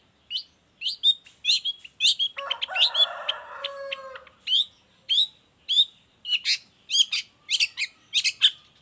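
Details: Long-tailed shrike song used to tutor and provoke other shrikes. Repeated harsh high chips roughly twice per second, interrupted midway by a rich, lower warbling burst of mimicked notes.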